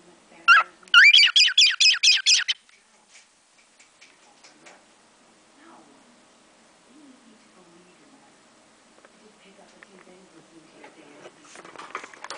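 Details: Cockatiel kept as a pet giving sparrow-imitation songs learned through the window: a rapid burst of about eight sharp, rising chirps in two seconds, followed by long quiet stretches with soft rustling and scattered clicks.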